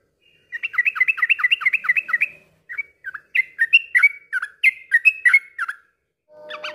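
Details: Bubbly yellow-vented bulbul song played as therapy so other birds sing along in ropel: a rapid string of repeated chirps, then varied slurred whistles, ending in a brief harsher burst.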